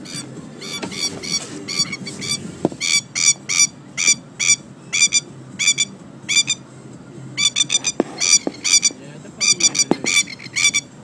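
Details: A Masked Lapwing (spur-tipped plover) in Australia, in fighting mode, gives loud, harsh, strident kek-kek calls in rapid rattling runs, several per second, over a low background rumble.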